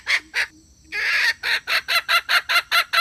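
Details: Hen call, 2021, used to draw birds to a trap: two harsh notes, a drawn-out rasping squawk, then rapid, regular cackling bursts.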